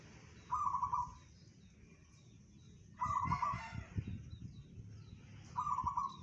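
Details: Local zebra dove singing in the bedah karang style, said to carry 500 meters: three short, rapidly pulsed cooing phrases about two and a half seconds apart, with a harsher harmonic call from another bird between them and low background rumble.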